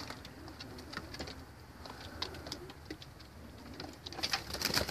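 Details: Red bar homing (racing) pigeons give low, soft, rolling coos beneath frequent sharp clicks and scuffs, with a louder burst of rustling near the end.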